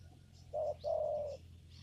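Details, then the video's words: Single spotted dove coo phrase in a papaya garden during lure trapping: a brief low note followed by a longer, steady, mellow coo over a low background hum. "mikat burung tekukur di kebun pepaya"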